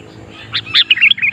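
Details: Sooty-headed bulbul singing keenly to draw in wild bulbuls while trapping is practised. It gives a brief burst of liquid, warbled notes, rising and falling quickly in a short tumbling phrase.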